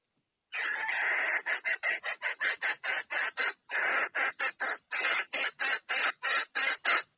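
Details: Female red junglefowl calling the male to mate: a loud harsh cackle, first a continuous burst, then a fast series of short rasping notes, roughly three per second, ending abruptly.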